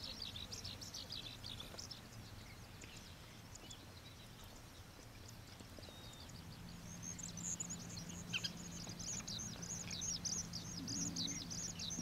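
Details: Oriental pratincoles recorded at Xinyuan, Taiwan; scattered high, clipped chattering notes that thicken into a busy chorus in the second half, over a low hum and rising background noise.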